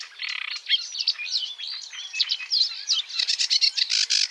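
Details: Sedge warbler song starting with a buzzy rattle, moving into sliding squeaky notes and chatter, then finishing with a rapid series of harsh repeated chips, about six per second.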